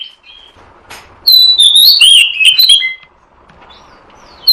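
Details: Magpie-robin call played as a trapping lure: faint scattered notes, then a loud run of sweet, fluid whistles and sharp chirps for over a second, a pause, and the start of another phrase.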